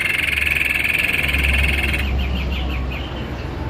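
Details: White-necked babbler singing vigorously: a long, even, rapidly pulsed trill held at one pitch, then breaking into short separate rising notes, over a steady low electrical hum.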